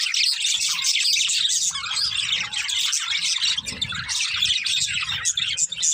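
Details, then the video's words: Pet budgerigar pair chirping: a dense, scratchy twittering stream with sharper squeaks, plus soft low rumbles underneath at times. "Cute Budgies Chirping Sounds"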